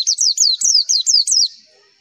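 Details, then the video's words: Javan white-eye (pleci) song played as a lure so other white-eyes reply: about seven high slurred notes, each sweeping down, in quick succession over a second and a half, then fading out. "MASTERAN AMPUH PLECI, Klik sekali semua pleci pasti nyaut"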